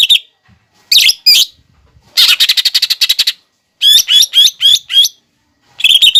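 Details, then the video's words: Green leafbird (cucak ijo) masteran song for training other birds, said to include mimicked fighting sparrow (gereja tarung), lovebird and kolibri phrases: loud buzzy high trills and rapid chirp bursts, plus slurred sharp notes, separated by short silences. "MASTERAN CUCAK IJO GACOR BONGKAR ISIAN GEREJA TARUNG,LOVEBIRD,KOLIBRI"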